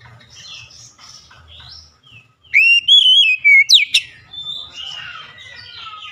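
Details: Lure recording of Oriental magpie-robin song, aimed at silent or lazy magpie-robins: quiet scattered chirps of other birds, then a loud clear whistled phrase, an abrupt upswept note, and softer twittering afterwards.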